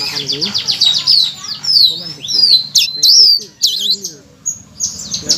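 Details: Blue-crowned laughingthrush singing as training material to make reluctant cage birds sing loudly: dense, high, twittering phrases with sweeping whistled slurs and chattering notes in a quick, uneven run, with faint low hum beneath.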